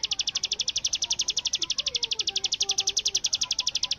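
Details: Bar-winged prinia in full-volume 'bren' style, likened to AK47 gunfire: an unbroken, rapid burst of high, sharp, evenly spaced notes, about ten per second, with faint low chirps of other birds underneath.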